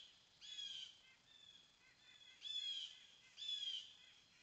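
A nuthatch gives short, nasal, buzzy notes, three loud ones about a second or two apart with fainter ones between, over a quiet outdoor background.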